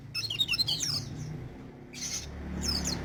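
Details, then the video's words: Crested jay (sogon) singing energetically: a rapid cascade of high, descending twittering notes, a pause, then two harsh buzzy bursts, with a steady low hum beneath. "Burung sogon gacor"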